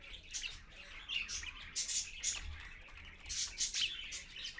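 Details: Parakeets, an adult with young, recorded at 6:20 AM: fairly soft chatter of high, thin chirps and scratchy notes coming in short clusters, with faint low background rumble.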